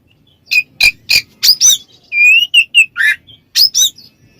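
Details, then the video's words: Kacer (white-rumped shama) ngeplong, calling a rival: fast scratchy chips, then a rising pure whistle and a varied string of fluty and lower warbled notes, ending in rasps, with faint low background hum. "suara burung Kacer NGEPLONG memanggil lawan bikin Kacer lain EMOSI"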